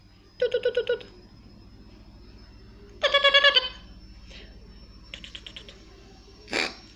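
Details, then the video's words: Blue-and-yellow macaw kept indoors gives rapid pulsed, laugh-like chatters in bursts of five to six beats, followed by softer chatter and a brief breathy sound, with a constant high faint tone. "Ara ararauna"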